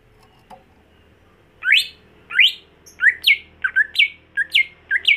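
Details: A home-kept greater green leafbird gives loud, rising whistled notes in quick succession, about two per second, bright and sweeping, after a faint click in a quiet room.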